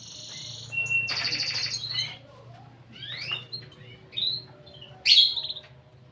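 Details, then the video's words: Canary singing in a unique cengkok (song phrasing): a buzzy high trill for about a second, then scattered sliding whistled notes and a sharp bright chirp near the end, over a low steady background hum. "Burung Kenari Gacor Cengkok Unik"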